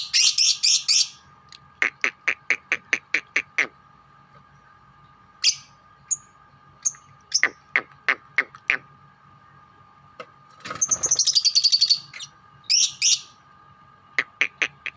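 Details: Four lovebirds of differing colours chatter together with fast series of sharp clicking chirps, short high squeaks and a harsh rattling burst, over a faint constant hum.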